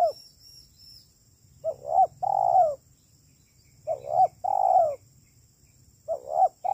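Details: Spotted dove calling repeatedly for a trapping lure, kuk 3 style. Each roughly two-second phrase has a quick rising double coo followed by a long hoarse, slightly falling coo. The phrases repeat steadily over a low background rumble.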